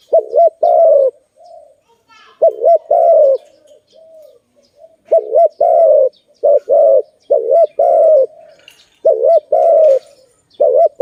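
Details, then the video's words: Repeated cooing from a Malay dove in a trapping scene: wavering double notes then drawn-out steady coos, phrase after phrase over about eleven seconds, with soft quieter coos between and faint chirping above. "Lovely dove- Video lovely Malay dove, Sound of good dove"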